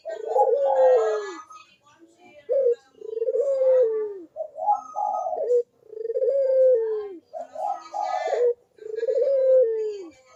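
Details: Steady, lively Barbary dove cooing used to get unwilling doves to call: short clipped notes alternating with long, rolling, downward-sliding coos, about twenty phrases a minute.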